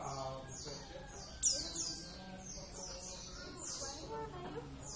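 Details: Kept Javan Oriental white-eye, Zosterops palpebrosus javanus, singing in a series of thin, high whistled notes, each sliding steeply downward, given roughly twice a second with brief gaps, over faint low room noise.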